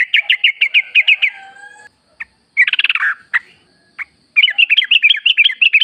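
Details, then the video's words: Lure song of a Sooty-headed bulbul in natural wild style, meant to set caged bulbuls singing: quick chirp series, a dense rattling burst with scattered clicks, then lively up-and-down chirping notes to the end. "trucuk gacor ngalas full suara alam ampuh buat pancingan agar bunyi jadikan trucukmu gacor nyaut"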